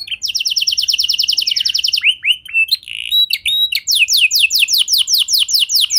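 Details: Canary singing to set other canaries off: a fast high trill, then a few lower swooping whistles and short buzzes, closing with a slower run of separate rising sweeps.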